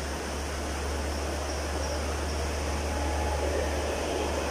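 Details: Steady hiss of broadband noise over a constant low hum, with no animal voice heard.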